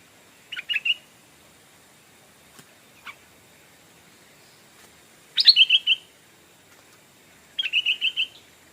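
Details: A Stripe-throated Bulbul decoy bird calling to lure wild birds gives three short bursts of bright, bubbling chirps, each a quick rising note followed by a rapid warbled trill, spaced a few seconds apart.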